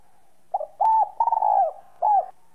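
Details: Whistle-style 'giọng còi' song of a spotted dove, played to stimulate other doves: a clipped first note, a sustained even coo, a rapid stuttered middle phrase and a short falling final coo, with nothing else audible.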